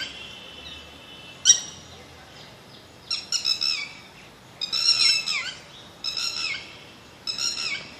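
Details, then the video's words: Bird song made of bright, high, squeaky phrases. A thin whistle and a sharp click open the recording, then a series of downslurred, chattering bursts follows at intervals of about a second, over faint background hiss. "BIRD SONG"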